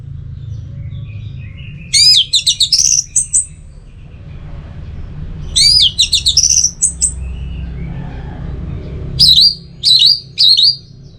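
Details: Anis merah, the orange-headed thrush, delivering teler song: three separated phrases of rapid, high, twisting whistled notes, the last a run of repeated downslurred whistles, against soft low-frequency background noise.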